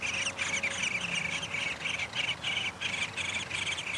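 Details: Downy woodpecker at its nest during feeding, 20 May 2021, a mated pair present: high, buzzy, rasping bursts repeated in a steady stream, two or three each second, with a faint low hum beneath.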